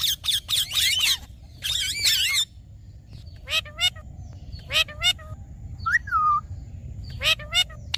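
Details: Green talking parrot opening with rapid harsh chatter, then spaced clipped squawks and one whistled rising-falling note, irregular rhythm over steady low hum.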